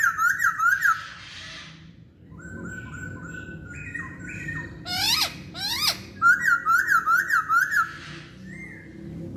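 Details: Chinese hwamei song in stretches: rippling whistled trills, stepped steady whistles, sharp high rising sweeps, then another quick wavering trill, with soft low background hum.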